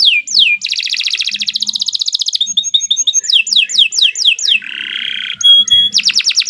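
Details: Canary singing a long tutor song: a swooping whistle, a fast buzzing trill, quick repeated chirps, descending slurred notes, a rasping nasal note and a bright pure whistle before fast sweeps resume.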